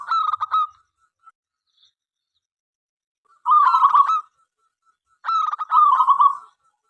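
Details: Local zebra dove singing vigorously to get other doves singing; three rattling, stuttered coo phrases separated by a long pause.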